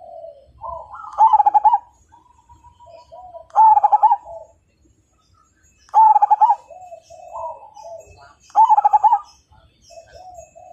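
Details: Zebra dove, a strong-singing Majapahit perkutut, repeats loud pulsing coo bursts at a regular two-to-three-second rhythm. Softer lilting notes fill the gaps between bursts.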